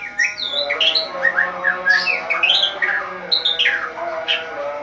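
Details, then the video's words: At dawn, a white-rumped shama sings energetically in its cage once the cover is opened: a rich medley of whistled upslurs, downslurs and short squawky notes delivered almost without pause, with a low constant hum behind. "Murai Batu Ngeplong buka tutup sangkar langsung gacor | Burung Murai Gacor Subuh Subuh"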